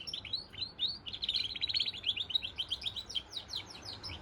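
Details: Goldfinch crossed with canary pouring out a rapid, rattling run of repeated high chirps, roughly two notes per second at first, then a tight trill, then looser downward-sliding notes.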